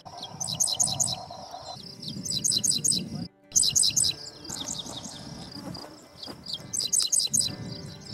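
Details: Dickcissel at Spring Green Preserve, a sandy, desert-like grassland in Sauk County, Wisconsin, where they were numerous that year, repeating its dry, buzzy 'dick-dick-cissel' song, two sharp notes then a sizzling trill, about every two seconds; low rumble and faint hum.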